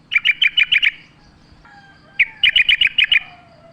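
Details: Sooty-headed bulbul in lively wild-style singing, used as a lure for caged birds: two bursts of six or seven quick, bright chattering notes, separated by a pause with faint thin tones. A low background hum runs throughout.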